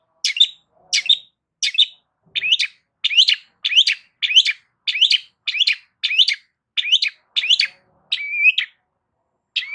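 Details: Long-tailed shrike giving a loud song to lure other shrikes to answer: a fast series of harsh, grating notes with rising squeaky tails, about fourteen in ten seconds, one longer level whistle near the end.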